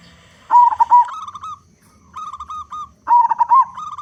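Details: Vigorous local zebra dove song used as a lure: loud rolling coos each lead into a pulsed trill, with a separate quieter trill between the two main phrases.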